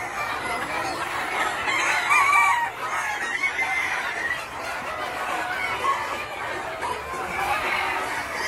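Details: Mixed Gà Nòi, Gà Tre bantam and crossbred chickens ranging freely in a large yard, feeding on greens and insects; busy chorus of clucks with a few higher squawking notes early on.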